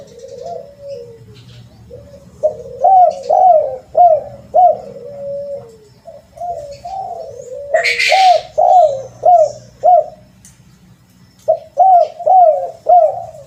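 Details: Spotted dove coos used as a lure: low hooting notes in rapid phrases of four or five, each note rising then falling, with a brief broadband rustle midway and short pauses between phrases.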